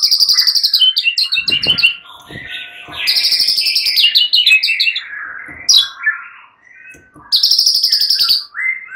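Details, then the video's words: Agitated fighter white-rumped shama among many males answering one another: rapid bursts of high stuttering notes alternate with lower slurred whistles and clicks, the high bursts returning near the end. "Hampir seluruh #muraibatu FIGHTER ikutan NYAUT GACOR dan jadi EMOSI"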